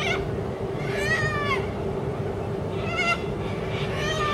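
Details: On a busy road verge, a corella playing by swinging from wires gives three wavering, nasal screeches, each about half a second long and one to two seconds apart, over a steady low hum.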